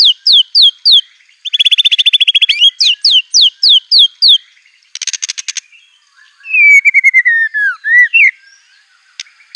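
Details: White-rumped shama delivering rough, fiery song filled with canary, cililin, cungkok and ciblek imitations; crisp downslurred whistles repeat in series, a rapid buzzy trill, a harsh rattling burst and a long descending whistle.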